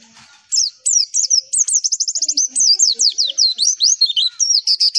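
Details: Javan white-eye masteran lure song meant to make every white-eye answer: a fast, continuous run of high, sharp, chirping whistles, many notes sweeping downward, strung together with hardly any pause.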